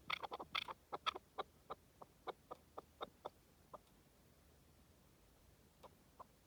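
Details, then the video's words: Partridge calling in the wild: a quick burst of sharp clucking notes that spread out and slow down, ending with scattered single chuks after a pause. "Pure Partridge Calls in the Wild"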